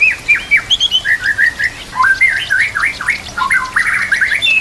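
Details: White-rumped shama singing a tutor song over gurgling water and nature sounds. It is a continuous stream of clear, looping whistled notes, with zigzagging slurs repeated in quick succession.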